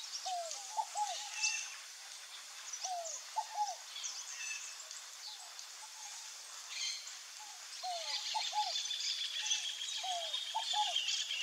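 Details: Fogo-apagou, the scaled dove, calling steadily with soft low triplets, a drooping note followed by two short hooked notes, repeated at even intervals, with scattered thin bird calls and a hissy background above.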